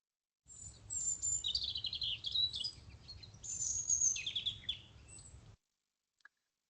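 European robin singing a high, thin, wavering song of liquid warbled phrases and sharp trills, sounding much like a blackbird's song but higher in pitch.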